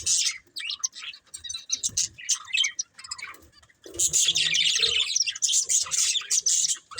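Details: Breeding pair of budgerigars giving irregular high chirps at first, then breaking into a loud, sustained, dense warble of shrill twittering for the last three seconds.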